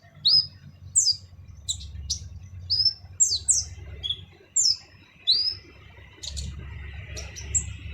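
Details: Brown-throated sunbird (kolibri ninja) giving a harsh-voiced training song: sharp, high chirps and short downslurred notes in irregular bursts, with a low background hum.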